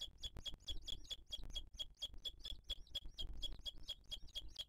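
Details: Booted eagle nest scene in 2023: the mother feeds her chick while other birds attack. Fast, evenly spaced, high chirps with a bright accent, roughly four a second, over rumbling background noise.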